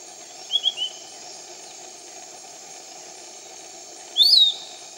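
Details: Piratic flycatcher, a canopy bird, recorded at Iquitos, Peru: three quick thin whistled notes, a pause, then one louder slurred whistle rising and falling. A steady high insect drone and low background hum run throughout.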